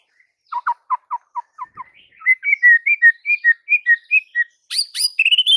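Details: White-rumped shama singing to provoke other shamas into full song: a run of low clipped notes, then a sequence of clear whistled notes rising and falling, ending in sharp high chips and a rising whistle.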